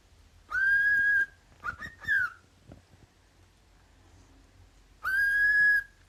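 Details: Repeated cockatiel calling: a long level whistle, a choppy pair of chirps and a falling whistle, then a few seconds of quiet before another long, steady whistle begins.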